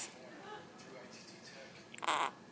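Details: Pet Quaker parrot indoors, prompted by its owner to say common words: after quiet murmured human speech, the bird gives one short, harsh, buzzy spoken-sounding syllable near the end.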